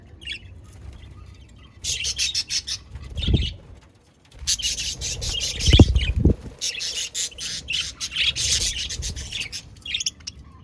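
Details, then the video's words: Several budgies chirping in bursts of fast, buzzy, high chatter separated by short pauses, with low knocks and wing flutters in between. "sound of budgies Beautiful Sounds budgies parrots"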